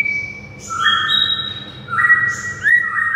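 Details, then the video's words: White-rumped shama master song used to get silent shamas singing: drawn-out mellow whistles with a brief high accent, then rising slurred notes, set against a constant low hum. "MURAI BISU SONTAK NAIK EMOSI DAN GACOR DENGAR MASTERAN MURAI SATU INI"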